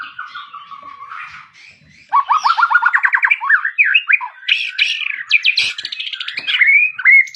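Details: Magpie-robin singing a varied, loud song: falling whistles, then a fast run of rising notes about ten per second, then bright high whistled phrases and scratchy notes; no other sounds.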